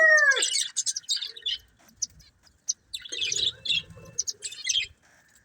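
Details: Breeding pair of budgerigars chirping: after a brief loud descending harmonic call at the start, quick high scratchy twitters and chirps come in scattered bursts with short pauses.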